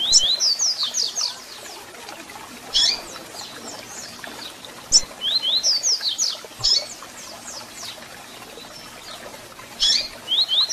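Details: Double-collared seedeater song with calls, played to excite and warm up a captive bird: bright whistled phrases of quick sliding notes, rising and falling, in bursts roughly every two to three seconds, with sharp high chirps between and faint background hiss.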